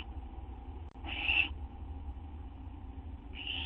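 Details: During a night-time food delivery at an owl nest on 6 September 2011, one loud harsh hissing screech sounds, then a second begins at the end, over steady low-pitched hum.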